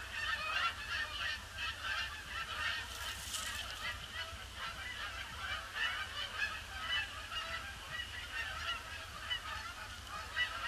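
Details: Canada geese arriving in a seemingly unending influx over a pond on a grey Boxing Day, 26 December 2015, circling before landing; dense overlapping honks rise and fall in waves, with a brief hissing burst near the third second.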